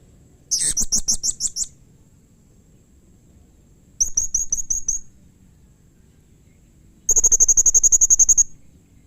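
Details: Three bouts of piercing high chirps from a blue-crowned hanging parrot, a call said to set other hanging parrots answering: seven notes, then six, then a very fast trill-like string of about fifteen.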